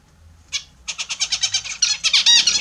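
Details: Caged Australian zebra finches taking their morning bath indoors: a short harsh note, then a fast series of nasal, buzzy beeps running about ten to the second, growing denser and louder toward the end.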